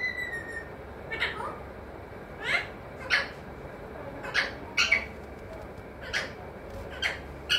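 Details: Talking pet parrot, said to say mithu, mummy and papa, giving a series of short harsh squawking bursts roughly every second, separated by quiet gaps, with faint room hiss underneath.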